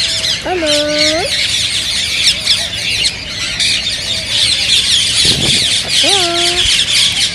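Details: Green rose-ringed parakeets calling to stimulate singing and mating in others. A constant shrill squawking chorus carries two lower drawn-out tonal calls that rise at the end, one early and one late.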